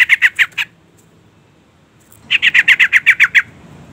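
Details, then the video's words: Female yellow-vented bulbul calling a male as a lure: a short burst of four harsh notes, a pause of nearly two seconds, then a longer run of about ten quick, scratchy, evenly spaced notes. "suara panggilan trucukan betina EMOSI gacor pancingan bunyi burung trucuk jantan"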